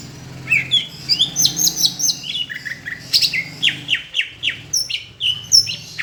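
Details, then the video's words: Greater green leafbird of Palembang singing tutor song that mimics Asian brown flycatcher: high thin whistles followed by a steady run of sharp downward-slurred chirps, about three per second, over a low background hum. "Masteran cucak hijau rasa sikatan londo"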